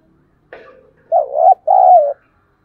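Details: Spotted dove voice meant to stimulate caged and decoy doves that stay silent in wind and rain: a soft throaty lead-in, then a rippling coo and a sustained, gently falling final coo.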